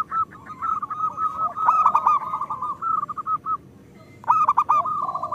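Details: Local zebra dove singing steadily, a recording for stimulating lazy doves: a long rolling chain of cooing notes with sharper accented bursts, a brief pause, then a fresh loud phrase.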